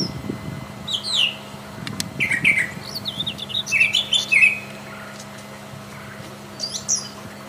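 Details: Brown Thrasher singing in the wild: a varied run of separate phrases, some wavering, some rising, some sharp and scratchy, followed by a pause and one last high note, over a steady hum.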